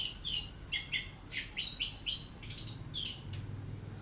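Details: Anis merah, the orange-headed thrush, in teler-style song for a long tutor recording: quick series of sharp high chirps and thin whistles, several per second, over faint low background rumble.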